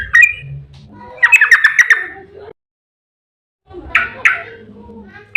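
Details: Yellow-vented bulbul in a long rapid 'ropel panjang' song used as a lure to prompt other bulbuls to sing: two short bursts of bubbling, chattering notes around the upper-middle pitch, separated by a silent pause.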